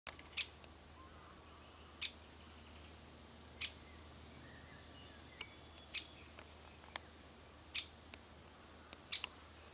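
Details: A great spotted woodpecker (Dendrocopos major) at the Soča river mouth nature reserve, Slovenia, on 1 June 2023, gives sharp, abrupt 'kik' notes every one to two seconds, with faint thin whistles from another bird and a low steady hum.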